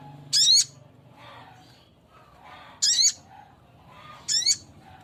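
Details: A male little spiderhunter calls to a female, repeating a harsh, buzzy, high rasp three times at intervals of about two seconds, over faint background noise.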